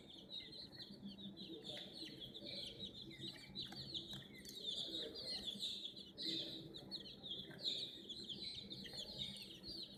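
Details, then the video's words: Domestic hen chicks, a group, facing a mini toy JCB crane: a dense, continuous chorus of high, thin overlapping peeps with steady chatter throughout and faint low background rumble. "Chicks Chirping Sound"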